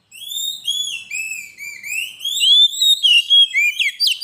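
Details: Oriental magpie-robin song used as a training recording: clear whistled phrases, some rising, others slurred downward, with brighter, sharper notes toward the end; no other sounds.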